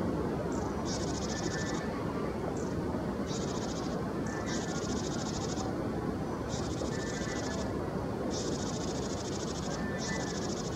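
A Japanese tit gives harsh, buzzy high-pitched calls, each about a second long and repeated in quick bursts, over a steady low rumble of wind or distant traffic.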